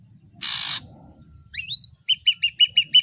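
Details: Ashy drongo in full variation song: one harsh buzzy burst, then a sweeping slurred whistle and a neat series of six clipped, ringing notes about three per second, over a steady high background tone.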